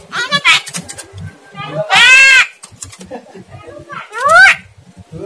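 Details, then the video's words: Recording meant to provoke a reluctant caged starling into full, loud fighter singing: three harsh, rising, richly harmonic calls roughly every two seconds, with quieter clicks and low murmuring between them. "pancingan jalak kurang rajin dan gacor"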